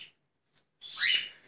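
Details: Cockatiels fighting at a Turkish bird market in the evening: a harsh, screechy call rising to a loud burst lasting about half a second, after a brief short note at the start.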